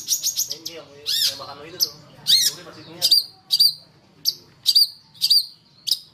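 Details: Long-tailed shrike song from a lure recording for bird training: a chattering, scratchy start, then clear, sharp high notes that come back about once a second.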